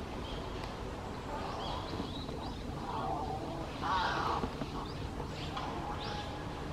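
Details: Young crow with still-blue eyes practising its voice, June 2020; hoarse, rasping drawn-out notes, some wavering, given irregularly over a constant outdoor rumble.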